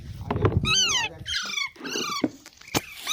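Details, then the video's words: Baby parrots making several harsh downward-sweeping squawks with rich harmonics, interspersed with clicks and knocks from the surroundings. "Baby Parrots Sounds"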